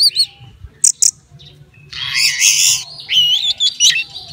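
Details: Orange-headed thrush kept as a contest bird, prepared for a songbird event, gives a few sharp high notes, then a dense rich warble of rising and falling whistles; quiet low hum beneath.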